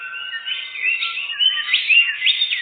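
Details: Song of a canary used as a lure when catching birds. Continuous high warbling with rapid rising slurs, steady and bright.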